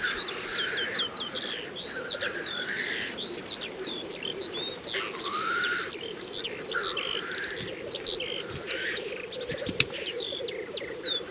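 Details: April 2024 lek of black grouse in Kologriv Forest: a continuous rolling, bubbling drone underlies a busy mix of sharp chirps and short whistles from many other songbirds.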